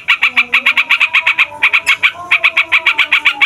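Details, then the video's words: Yellow-vented bulbul in long rolling song, used to excite other songbirds: quick repeated bright notes, about four per second, broken by a brief pause, over faint low steady tones. "TRUCUKAN FIGHTER NGEROLL PANJANG BIKIN SEMUA JENIS BURUNG OCEHAN EMOSI"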